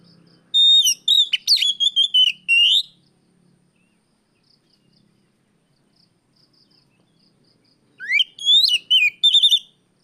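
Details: Oriental magpie-robin singing in the afternoon as a lure for training other birds; a dense run of trilled and sliding whistles, a long pause, then rising sweeps and quick high notes.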